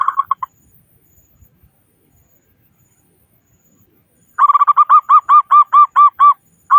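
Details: Local zebra dove with a big voice, sung as a lure so other doves start singing quickly. A few short coos, a long pause, then a rapid run of about a dozen rounded, bubbling coo notes.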